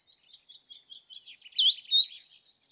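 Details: Common (Scarlet) Rosefinch, a summer and autumn migrant to UK coasts, sings a loud, piercing, slurred whistled phrase of two swooping notes, preceded by soft, high twittering chatter.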